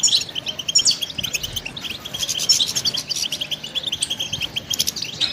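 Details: Training song of a goldfinch: quick, high twittering phrases of liquid chirps and short rattling trills, steady and lively, with a mild low background noise.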